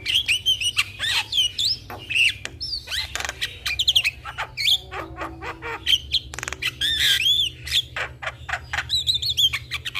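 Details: Javan myna lure song meant to prompt a silent myna to sing: dense, continuous chatter of rasping notes and arched whistles repeated rapidly throughout, with a steady low hum underneath.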